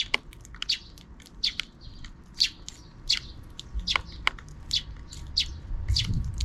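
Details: Sparrows out of frame keep noisy in the afternoon, giving a steady stream of short high chirps roughly every half second, with a few lower thumps near the end.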